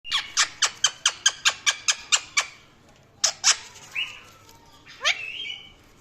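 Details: Pet Indian ringneck parrot chirping: a fast run of about ten sharp, clipped chirps over two and a half seconds, then a pause and a few harsher squawks and a short rising whistled note.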